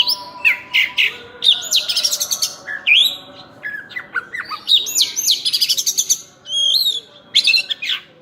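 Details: Oriental magpie-robin, locally called burung cincim pala, singing energetically in full voice: a rich, varied stream of whistled phrases, sweeping upslurs, rapid chattering trills and buzzy notes, with faint low hum beneath.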